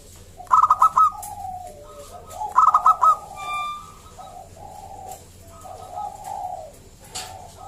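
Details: Zebra dove of the local wild type giving its loud song, meant to prompt other zebra doves to sing: two rapid stuttering coo phrases early on, then softer overlapping low coos and drawn-out notes.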